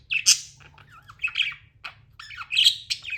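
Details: Pet budgerigars chattering: loud harsh chirps mixed with fast, bending whistled warbles and twittering, closing with a burst of raspy squawking.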